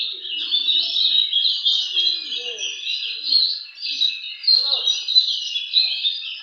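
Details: Kacer, or white-rumped shama, singing at a bird contest: a continuous rich stream of whistles and chattering trills, with faint voices and other low sounds behind.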